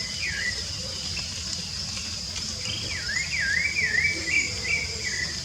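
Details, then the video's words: A free-living rufous-bellied thrush sings a long, rich warbled phrase, rising and falling in rapid loops after a short opening note. A continuous high insect drone runs in the background. "Sabiá Laranjeira Cantando Livre nanatureza!!!"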